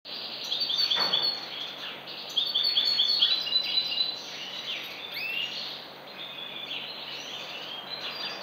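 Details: European goldfinch, likely caged, singing in 2014: quick twittering phrases of high tinkling notes and short buzzy trills, denser in the first half, with steady background hiss.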